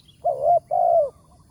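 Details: A big-voiced wild spotted dove calls in the morning at a trapping spot. One clear phrase: a rounded, slightly rising coo, a brief gap, then a longer coo that slides gently downward; quiet background.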